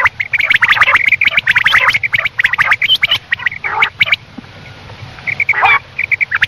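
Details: Night-time quail calls: rapid chattering bursts with a sustained high whistled tone, dense for about four seconds, then sparser short chirps and a few scattered notes toward the end.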